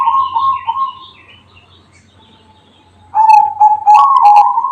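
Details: Zebra dove song in the bedah karang style. A trilling coo phrase fades out, followed by a short hush, then a loud, throaty, warbling coo with sharp clicks near the end.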